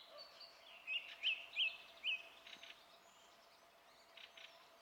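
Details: Song thrush singing on 27 April 2016, four loud, crisp repeated notes in a quick series, then softer, fainter notes trailing off against low background noise.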